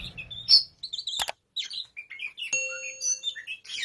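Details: Tame oriental magpie-robin (kacer) singing in the lively 'ngobra' style: rapid, varied high chirps and short whistled phrases. There is a sharp metallic clang and a sustained ringing tone partway through.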